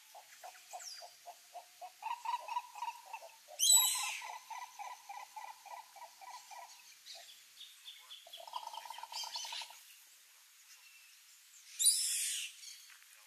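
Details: Green ibis (Mesembrinibis cayennensis) in the Pantanal, giving runs of low, rapid, hollow pulsed notes strung into rolling series with short pauses, broken by a few brief loud noisy bursts.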